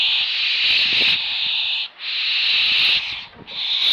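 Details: Young barn owls perched and being fed give long, harsh hissing snores, each rasping breath lasting about two seconds with brief pauses between.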